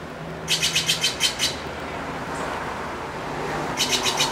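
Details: A Blue Jay squawks in a tree alongside a crow, giving two quick bursts of harsh, high, scratchy squawks, about eight notes a second, over a low traffic hum.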